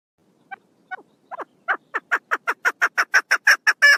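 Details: Sparse, quiet notes from a female chukar partridge, recorded 1 June 2022, speed up and swell into a rapid, loud series of gravelly chucks, rising in intensity to the end.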